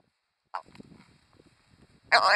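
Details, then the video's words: Willow ptarmigan in winter plumage, foraging and climbing in willows on the tundra in Manitoba, give a brief harsh note, then a loud, rough, croaking burst, with faint low murmuring between. "Ptarmigans in winter plumage calling while foraging in the willows"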